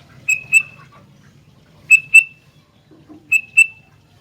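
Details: Sooty-headed bulbul in lively song: three paired short bright notes, each pair close together, repeating roughly every one and a half seconds over a faint low hum.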